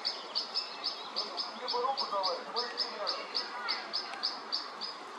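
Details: European pied flycatcher in late May, in a clash with a white-backed woodpecker, giving sharp, high clicking notes about three or four times a second, with softer lower warbling or voices in the background.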